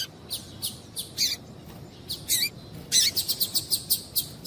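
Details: Female double-collared seedeater calling to excite a male, short high chirps and sharp notes repeated irregularly, a quicker run of bright clicks near the end.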